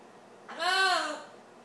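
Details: Amazon parrot singing "Old McDonald Had a Farm" in a small room. A single loud, rich, voice-like note lasts about two-thirds of a second, arching slightly and then sliding downward.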